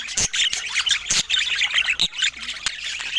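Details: Budgerigars at feeding time, overlapping chirps, warbles and harsh squawks forming a constant chorus, broken by a few loud sharp clicks.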